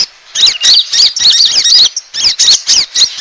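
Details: Asian glossy starling lure call used to attract birds: dense bursts of sharp squeaky chirps and rapid up-and-down whistled notes, high-pitched, several bursts a second with brief gaps.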